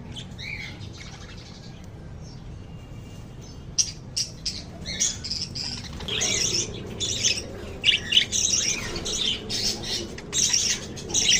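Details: Lovebirds chirping: quiet start, then from about four seconds dense bursts of harsh, high squawky chirps and twitters, irregular and overlapping, with a low background hum.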